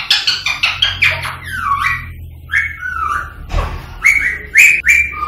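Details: Rose-ringed parakeet, the green Indian ring-necked form, singing to stimulate other parakeets to sing and mate: quick chattering notes, slurred falling whistles, a brief dull thump, then sharp rising whistles.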